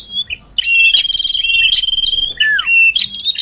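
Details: Common iora lure call used to draw birds closer: a long steady high whistle with a fast fluttering trill along it, broken by short chirps and a sharply falling whistle.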